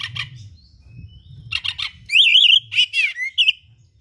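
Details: Oriental magpie-robin singing energetically, its song packed with rare mimicked material for tutoring other birds: rapid chattering bursts, then loud looping warbles and quick whistled flourishes over a faint low hum.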